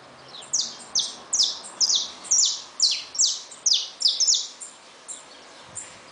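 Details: Saffron finch kept in a cage with just-hatched chicks, singing a run of bright, high, downward-sliding notes at roughly two per second, slightly uneven in spacing, fading toward the end, with quiet background noise.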